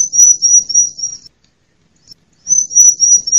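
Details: A female bar-winged prinia call serves as bait for non-singing birds and for wild prinias in forest and gardens. Two bursts of a thin, very high, rapidly pulsing trill are separated by about a second of silence.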